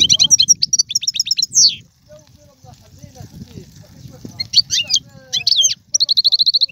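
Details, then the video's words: Captive Algerian European goldfinch in galoubi and sarfati song styles: twittering bursts and a downslurred whistle open, then a near-silent gap with faint low murmuring, before chattering notes and an even, rapid trill return. "مقنين طيواواطي قالوبي و سرفاتي, هذا الحسون ليس له مثيل"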